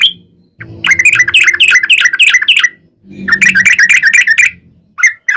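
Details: Sooty-headed bulbul song used to prompt other bulbuls to answer: fast chattering bursts of liquid whistled notes in two runs with short pauses, a low hum beneath.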